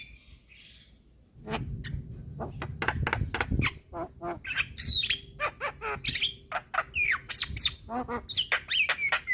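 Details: Javan myna, white-eyed form, in a training recording for cage birds: faint notes, then dense squawks, clicks and short whistles over a low rumbling background.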